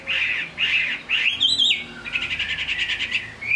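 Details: Chinese hwamei singing in the rain, kept as a cage bird: three rich warbled notes, a high rising flourish, then a quick even string of pulsed notes.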